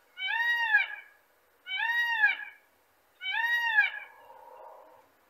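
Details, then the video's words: Male Indian peafowl (peacock) giving three loud, nasal, wailing calls, each about a second long, arched in pitch and spaced about a second and a half apart. "Peacock Bird Sound"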